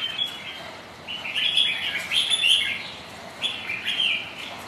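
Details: Red-whiskered bulbuls, rival birds sparring on a rainy day: bursts of bright warbled phrases, each about a second long, separated by short pauses, over steady hiss.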